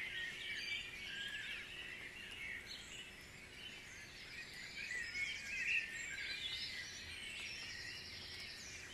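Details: Dawn chorus of many birds at Guisborough: a dense, continuous tangle of overlapping high chirps, trills and whistles with no single singer dominating, under a faint steady low hum and soft background hiss.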